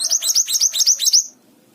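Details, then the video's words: Mountain tailorbird singing actively. A fast series of about ten high, piercing, downslurred notes, delivered in a brisk even rhythm for just over a second. A short pause and faint low background sounds follow. "BURUNG MANTENAN GUNUNG GACOR"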